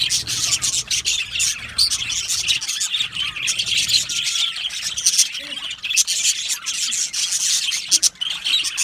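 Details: Happy budgies in a colony aviary keep up busy, overlapping chirping and warbling, with high tweets and a few short whistled slides above a constant bright chatter.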